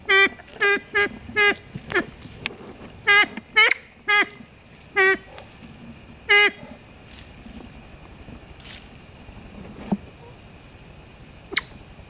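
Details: Siamese fireback in Sakaerat Biosphere Reserve, Thailand; a quick run of clipped, reedy harmonic notes, roughly two per second, thinning out into faint scattered calls and quiet background.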